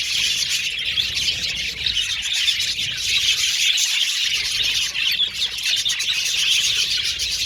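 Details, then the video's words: Budgerigars in an aviary colony sing and chirp while playing in the cage, producing a continuous stream of high, scratchy chattering notes from many birds. "Budgies Singing And Chirping Sound"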